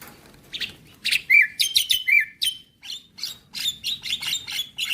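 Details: Javan myna song: harsh rasping bursts mixed with clear whistled notes that slide down, then a long stretch of scratchy, chattering phrases delivered rapidly.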